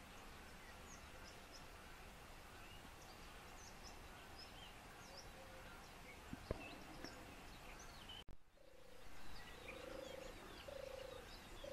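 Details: European turtle dove, a seriously endangered species, in Lower Silesia, Poland, where 14 birds and 5 nests are counted on 4 square km; after a loud knock, three low soft purring phrases follow each other, with faint high bird chirps earlier.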